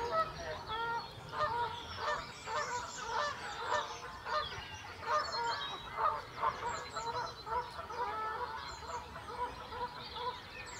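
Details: Canada Goose in spring, recorded live outdoors. Loud, nasal honks come in repeated overlapping bursts from several birds, forming a continuous clamour with faint higher bird calls in the background.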